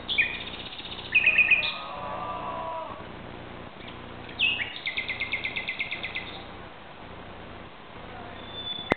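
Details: Night song of a common nightingale in Barcelona, Spain, recorded at 2:30 am on a Sunday in mid-May 2009: varied whistled phrases, a lower sustained note, then a long rhythmic series of repeated chirps; steady low background hum.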